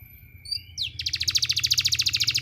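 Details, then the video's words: Training therapy sound of a canary: a faint whistle and a falling slide lead into a brisk, regular trill of bright repeated notes lasting over a second, with low background hum. "suara terapi kenari ampuh"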